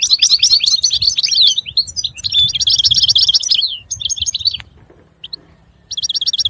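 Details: European goldfinch song: dense, tinkling twitters and rippling trills, then a quieter stretch with a few isolated notes before a fresh burst of rapid repeated chirps.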